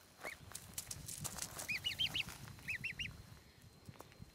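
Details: A rescued Canada goose gosling, saved from nearly drowning in the Applegate River, explores a backyard. It gives high, thin arched peeps, a single one then quick runs of three or four, over faint rustling.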